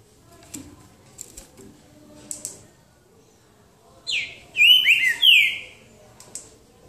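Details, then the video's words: Boca mole song of a green-winged saltator in a singing duel at João Monlevade: quiet clicks and ticks, then a loud phrase of rich, slurred whistles, rising and falling over roughly a second and a half. "Trinca ferro boca mole disputa"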